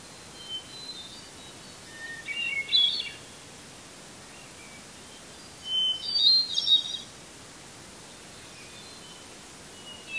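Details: Song of a hermit thrush perched in a red pine in Eustis, Maine, just before sunset on a July evening in 2020: a softer ethereal phrase, then a louder one starting with a pure whistle and spiralling upward, with quiet gaps between.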